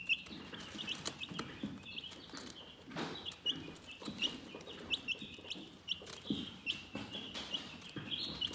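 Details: Soothing chicken chirps: a continuous thread of thin, high peeps, some rising, others flat, repeated rapidly, with occasional louder taps and shuffling sounds.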